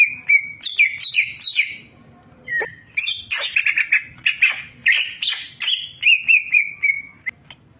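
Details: Champion greater green leafbird in full fill-in song: varied, tumbling phrases of whistles, slurs and rapid warbling notes, with a few sharp chips, sung almost without pause.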